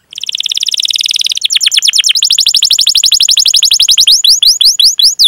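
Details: Long-singing canary with 'cuit cuit' rolling (ngerol) song, used to lure other canaries into singing: a sustained rapid trill, then a rolling trill of quick down-slurs ending in wide swooping whistles.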